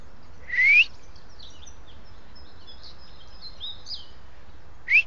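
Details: Bird singing outdoors in Mallorca: a rising whistled note, faint scattered chirps, then another short upslurred whistle about four seconds later, against steady soft background noise.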